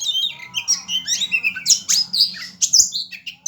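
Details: Oriental magpie-robin (Copsychus saularis) in fast, fighting-style song: a dense run of high whistles, sharp chirps and scratchy trills with hardly a pause, over a faint low hum.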